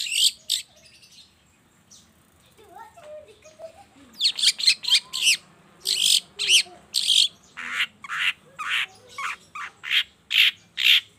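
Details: Morning lure recording of a long-tailed shrike, meant to set silent shrikes singing: a few faint scratchy notes and soft lower twitters, then a rapid run of loud, harsh chattering chirps from the fourth second on.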